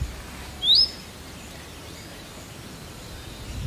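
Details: Indian robin giving one clear, short upward-sliding whistle, then quiet outdoor background.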